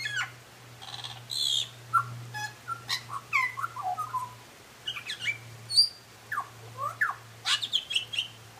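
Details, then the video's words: Singing butcherbird delivering a rich, varied run of whistled notes, slides and quick upward flicks, phrases following one another with brief gaps, against a low steady hum. "Butcher bird singing"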